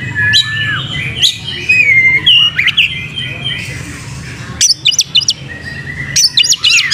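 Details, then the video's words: Oriental magpie-robin (kacer) singing hard with open tail: jumbled whistles and chattering phrases, a short quieter gap, then clusters of sharp, quickly repeated high notes; low hum in the background. "pancing Kacer gacor buka ekor"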